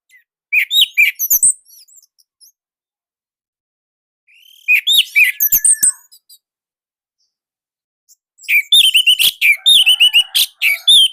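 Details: Orange-headed thrush in Indonesia delivering its unique, tight and loud song in three separate bursts of rapid, high, jumbled warbling and sharp notes, divided by pauses of about two seconds.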